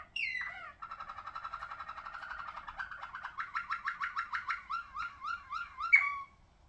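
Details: Malinois Waterslager song canary, ringed, singing indoors: a high opening note, then a long even rolling trill that grows into loud, rhythmic, falling gurgled notes, ending with a bright accent.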